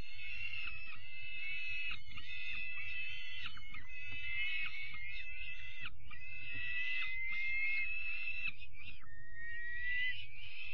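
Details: Evening feeding of young peregrine falcon chicks on 5 May, with overlapping harsh squealing and whining cries in bursts, some rising whistles, and a steady low rumble throughout.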